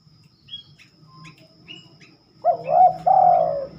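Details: Spotted dove singing at night, an unusual time for it: scattered thin high chirps, then a loud throaty coo in two wavering, bubbling parts, the second longer and held, with soft low background rumble.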